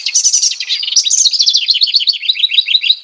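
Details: Loud, close house wren song: a burst of tumbling high notes sliding into a long series of quick repeated chirps, steady in pitch.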